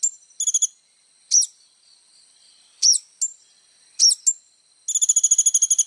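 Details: Energetic little spiderhunter song for training young birds: short high trills alternating with sharp isolated slurred notes over quiet gaps, finishing with a rapid even series of piercing notes.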